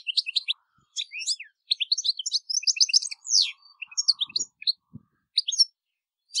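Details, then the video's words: European goldfinch singing, a bright, tinkling run of rapid twittered and chirped notes, mostly high and thin, delivered in quick bursts separated by brief pauses, with no other clear sounds. "Jilguero Europeo Cantando - European Goldfinch Singing"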